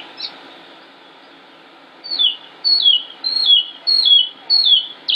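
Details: Male northern mockingbird singing in Concord, North Carolina, United States, on 25 May 2016, a bird not repeating the same song. After a quiet opening, a high, sharply descending whistled phrase repeats about five times in quick succession.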